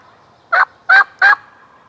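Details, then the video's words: Jake wild turkey, a young male strutting within ten yards of a hunter on public land, gives three loud, rattling gobble bursts evenly spaced about a third of a second apart against near silence. "SUPER CLOSE GOBBLING TURKEY"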